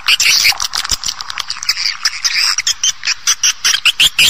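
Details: Swiftlet lure call used in swiftlet farming, an older original calling sound. Dense, rapid, buzzy chirps and clicking twitters follow in quick succession, with bright high notes recurring through the sequence.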